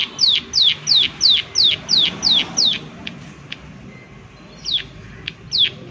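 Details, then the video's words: Prinia giving the 'klik klik' call, recorded in a natural setting: a fast run of about nine sharp, high, downward-sweeping click notes in the first three seconds, then a pause and a few more scattered clicks. "Prenjak Klik Klik Gacor Suara Alam"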